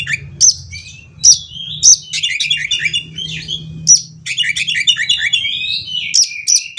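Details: Oriental magpie-robin with 'konslet' fill singing to rouse other magpie-robins: loud sharp notes every second or so amid dense, fast chattering phrases and slurred whistles, over a low humming background.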